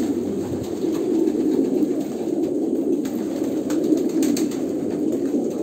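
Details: A flock of pigeons in Kolkata, India, gives soft, throaty cooing that overlaps into a constant low hum. Light knocks and rustles are heard toward the end.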